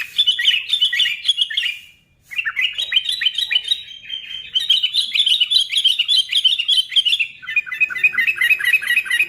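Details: Sooty-headed bulbul song played to provoke other bulbuls into singing: busy, bubbling chirps and quick slurred notes that pour out almost nonstop, with one short pause near two seconds, then rapid twittering phrases.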